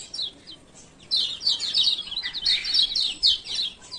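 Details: After a quiet opening, a male Lemon-bellied White-eye from Lombok launches into a continuous stream of bright, rapid high chirps, the 'ciak ciak' lure for birds reluctant to sing.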